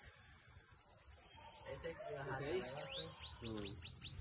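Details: Bananaquit song played to stimulate a pet bird: a rapid run of thin, very high, sibilant notes, then a series of quick descending high whistled sweeps, with a faint voice and low rumble beneath.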